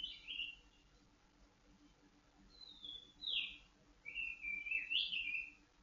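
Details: White-rumped shama, a caged bird aired in the dew for stable mood and breeding drive: a high opening note, two sliding whistles after a pause, then a long warbling phrase rising to a bright peak.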